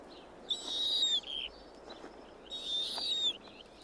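A Snowy Owl gives two harsh, high screeching calls, each under a second with a thin whistled edge, about two seconds apart, against a quiet background.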